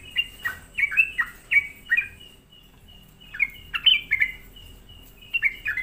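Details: Lure song of a sooty-headed bulbul used to agitate other bulbuls, with clear gurgling notes dropping in pitch, delivered in bursts of four to six and separated by a brief gap.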